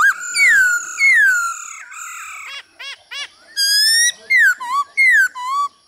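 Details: Caged male laughingthrush in full song alongside female calls, recorded for training other birds: long slurred whistles, a burst of quick clipped notes, a sustained high rising whistle, then paired downslurs with low tails.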